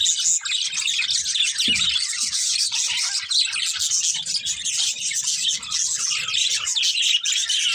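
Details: Continuous budgie chatter from a pair, rapid high twitters and buzzy squeaks layered together, with one brief low thud early on.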